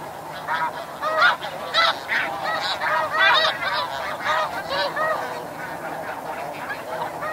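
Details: Flying snow geese recorded at Chincoteague, Virginia, U.S., giving loud nasal honks in rapid overlapping bursts, several per second, with a flock calling behind them.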